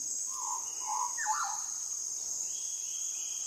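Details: Andaman shama in South Andaman, singing clear whistled phrases: two mellow low notes, then a brighter warbled flourish sliding downward, with thin higher whistles near the end over a loud, steady shrill insect drone.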